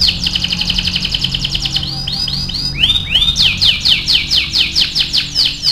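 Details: Atlantic canary (kenari AF) singing energetically as a training song for other birds: fast, high buzzy trill of rapid repeated notes, then several slower looping upslurred whistles, then another rapid rolling trill.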